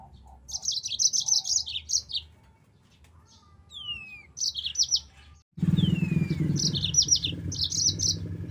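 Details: Yellow-fronted canary song: bursts of rapid, high, buzzy trilled notes in short phrases, with a separate slurred descending whistle between them. A low rumbling background noise sets in during the second half.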